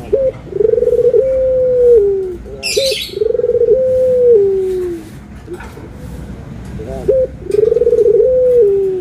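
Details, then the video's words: Anggungan cooing from a Barbary dove, white and brown forms compared: three long, low, steady coos, each opening with a short rising note and ending in a gentle downward slide, separated by short pauses, with a brief high chirp between. "PERBEDAAN SUARA ANGGUNGAN BURUNG PUTER PUTIH DENGAN PUTER COKLAT"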